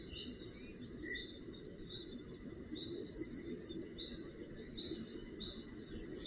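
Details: Young Northern goshawks tended at their nest in early June 2018 give a run of high, downslurred calls spaced about every half second, with one lower, clearer note near the start, above steady hiss.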